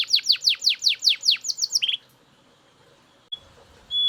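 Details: Loud Belgian canary singing: about ten quickening, downward-swept notes, then a brief buzzy roll, followed by near silence and a faint high whistle at the end.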